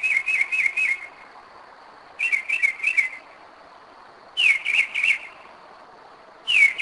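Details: Northern mockingbird at 2am, Kennesaw, Georgia, 2011, switching phrase types: groups of three or four rapid wavering whistles, each group separated by about a second. A steady faint high hum is heard in the background.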